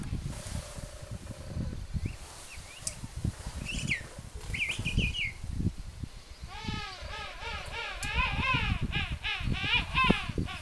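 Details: A mother king penguin feeds her baby chick at a nature reserve in Tierra del Fuego, Chile, in April 2021. Brief scattered whistles come first, then a loud, harmonic, trumpeting call in rippling pulses. Low wind noise runs throughout.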